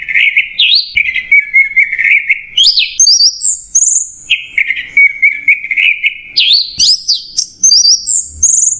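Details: Orange-headed thrush singing unbroken "macet jernih" masteran song, alternating rich mid-pitched warbled stretches with high bright whistles and upward-sweeping notes, repeated in long cycles.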